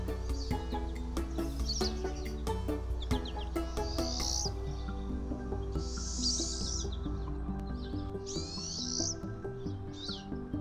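Pine siskin twitters with high, thin notes and several long buzzy, rising zreee phrases, over steady instrumental music.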